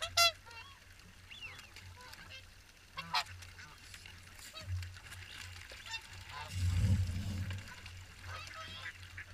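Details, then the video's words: Swans at the morning feed, Caerlaverock: a loud rising honk opens, followed by scattered trumpeting calls from several birds, with a low rumble and a louder noisy surge near the end. "Morning Swan Feed"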